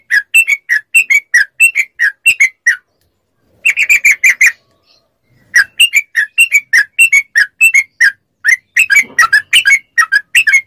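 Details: Rapid ropel song from a yellow-vented bulbul, meant to get captive bulbuls singing back. Clean, bubbly notes come in quick groups separated by two brief silences, with a tight flurry in the middle.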